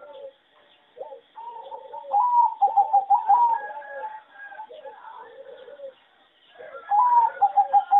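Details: Competition-type singing zebra dove from a breeding farm, its melody judged poor: quick staccato runs of cooing notes that rise then settle onto a steady pulse, heard twice, with quieter cooing from neighbouring doves between them.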